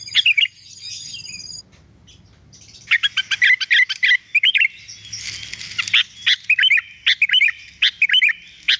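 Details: Sooty-headed bulbul singing energetically as a clear tutor recording for training birds: short bubbly, warbled notes, silent pause near two seconds, then a quick run of loud chirpy phrases, some slurred upward, with faint low hum beneath.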